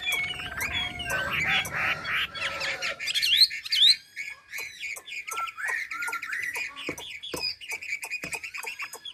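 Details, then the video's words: Ha Giang hwamei, Vietnam, sings a fast, jumbled medley of whistles and chattering notes, then clearer repeated upward-slurred phrases over scattered sharp ticks. "Mi đẹp Hà Giang. #713 bộ đẹp hót hay cực víp tiếng hót thiên nhiên, luyện cho chim hót hay."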